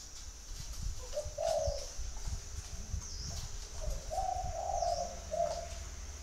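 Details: Spotted dove cooing twice, each a short note and a rolling longer coo, with low rumbling noise underneath and a faint high whine.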